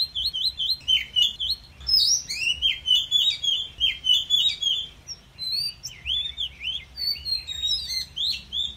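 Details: Oriental magpie-robin singing wild 'kéo thuốc lào' style song, played to stimulate timid newly caught birds: a dense, continuous run of varied whistled and twittering phrases, high and lively, over a faint low rumble.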